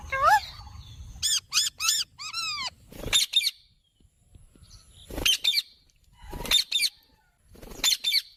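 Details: Talking Indian ringneck parrot, a pet, gives a few arched harmonic syllables in quick succession, then short sharp chatter bursts separated by quiet gaps of one to two seconds.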